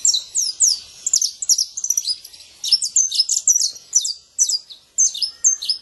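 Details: Free-living saffron finch in the wild delivering a lively song of high, downslurred chirps, grouped in fast clusters of two to five notes with short gaps between them.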